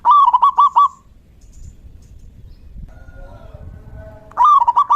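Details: Zebra dove song in the rainy season, a burst of five quick cooing notes, then a quiet gap with faint distant calls, then another burst starting at the end.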